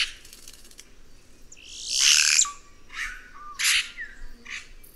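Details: Guaxe (red-rumped cacique) song: a loud broadband rasp with a rising sweep and short flat whistles, then several harsh clipped notes.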